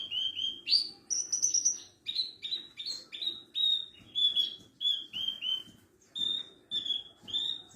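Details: Javan bush lark tutor song for other birds: lively string of short whistled notes, several high ones early and then a steady series at a similar pitch, about two per second, with quiet low background noise.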